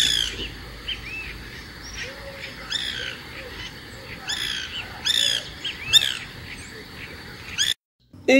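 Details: White woodpecker (Melanerpes candidus) gives short, dry, nasal, laugh-like notes in quick rhythmic bursts, about one a second, used to communicate with other woodpeckers and mark territory; steady low hum and faint music underneath.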